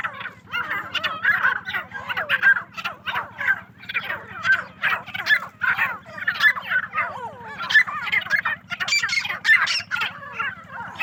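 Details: Many farmed partridges call at once: harsh, overlapping chatter in repeated bursts, steady throughout, with a low machine hum underneath.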